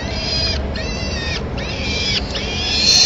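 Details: At a falcon nest in Madrid, 24 April 2016, the female feeds the chicks prey the male delivered. A series of high, harmonic, slightly wavering cries, three or four in quick succession, over continuous low background noise.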